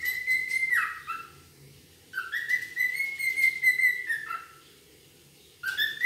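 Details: Wild cockatiel (Nymphicus hollandicus): clear, drawn-out whistled calls, each starting low with a quick upward slur and holding a steady pitch, three calls separated by short quiet gaps.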